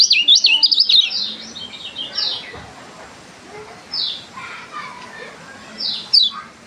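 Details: Strange song of a lemon-bellied white-eye: an opening burst of rapid high twittering, then spaced, sharp descending whistled notes every second or two, separated by quieter gaps.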